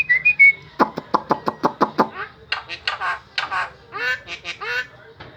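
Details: Starling song described as strange but melodious: a few brief high whistles, then a rapid run of about eight sharp clicking notes, followed by harsh, buzzy, chattering phrases with slurred notes.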